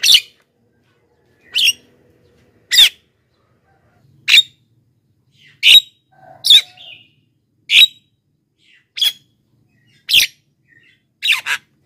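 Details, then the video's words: Javan myna sound for luring wild birds and training lazy singers: about a dozen loud, grating squawks repeated every second or so, some doubled, in quiet surroundings. "masteran JALAK KEBO super gacor,pancingan untuk bahan dan jalak yg malas bunyi"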